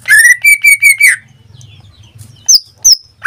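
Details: Caged greater green leafbird giving a rapid trill-like series of rich whistled notes, then a quieter gap with low hum and a few high, sharp single notes.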